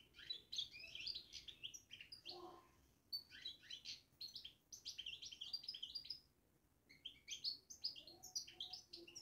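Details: Goldfinch babbling from a cage, a quick, jumbled chatter of high twittering notes delivered in phrases of two to three seconds with short breaks.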